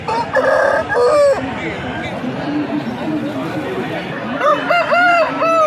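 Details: Aseel rooster at a local pets market, giving two hoarse, drawn-out crows, one at the start and one near the end. Constant crowd chatter and clucking fill the gap between them.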